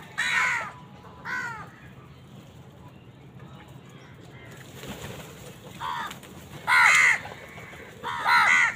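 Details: Raspy crow caws during a fight with wild birds over food, two calls at first, a quieter gap, then a run of three loud, harsh caws close together.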